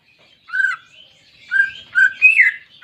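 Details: Greater green leafbird song played as therapy to get a silent pet bird singing again: a short run of clear whistled phrases, a few slurred notes then a rising, richer final phrase, in a quiet room.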